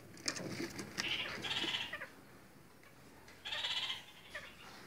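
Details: Red-crowned parakeets, kept birds in various colour varieties, give bursts of harsh, nasal chattering calls in two clusters separated by a short pause, with faint clicks and room noise between.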